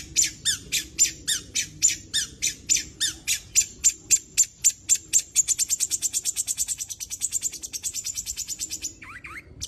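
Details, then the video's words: Long-tailed shrike song made of sharp, high pulsed notes repeated about four times a second. The notes speed into a fast buzzy trill, then end with a few lower downslurred whistles. "cendet gacor full isian"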